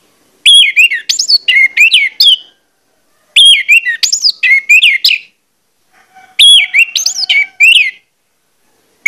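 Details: Orange-headed thrush lure song meant to get other males singing; three loud phrases of sweeping whistles and sharp chirps, roughly every three seconds.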